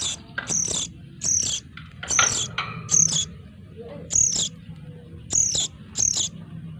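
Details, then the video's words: Noisy sooty-headed bulbul chicks, used as a lure sound, give harsh, high, buzzy calls about once a second in short noisy bursts. "the sound of the lure of noisy sogon chicks"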